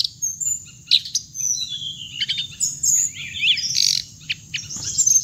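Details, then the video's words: Hồng hạnh bird sound used for trap-luring playback through a speaker; scattered bright chirps, trills and downslurred whistles in irregular phrases, with a constant high-pitched whine and faint low hum behind. "tiếng chim hồng hạnh âm thanh để bẫy loa"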